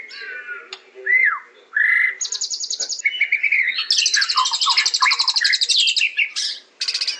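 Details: The white-rumped shama alternates clear falling whistles and buzzy bursts, then delivers a rapid high trill mixed with jumbled lower notes.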